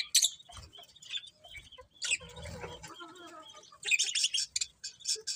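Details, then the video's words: Budgerigars kept as pets chatter in dense bursts of high chirps and buzzy warbles, busiest at the start and again toward the end. "Cute Budgies Chirping Sounds"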